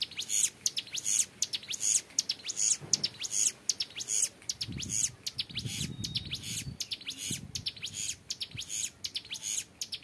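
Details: Tutor recording of a young hill prinia in full ngebren song: steady, evenly spaced bursts of piercing high buzzy notes for ten seconds, with some low muffled rumbling in the middle.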